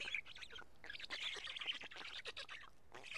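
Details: Karula black stork nest at a midday feeding on 31 May 2017, chicks picking at two big fish: a dense, continuous stretch of harsh, crackling squeals with clicking edges.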